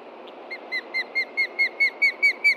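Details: Osprey pair at a Montana nest with chicks, alarmed by a threat from below one late-June morning: a rapid run of loud, clear down-slurred whistles, about five per second, growing steadily louder.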